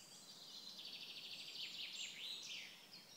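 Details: Eurasian wren (Troglodytes troglodytes) at PP Březinka, Náchod-Běloves, on 5 June 2016, singing a rapid, high, tumbling stream of trills and sharp notes, fairly distant, over a soft outdoor hiss.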